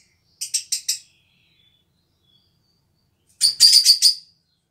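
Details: Black-cheeked lovebird pair, elderly aviary birds that have stopped breeding: two bursts of three to five piercing, harsh chirps in quick succession, separated by about two seconds of silence.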